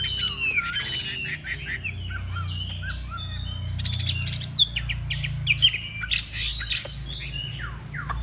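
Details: Fighting-display song of a big-bodied Chinese hwamei: a dense, varied tangle of warbled notes, chirps and short whistles, somewhat masked by low background rumble.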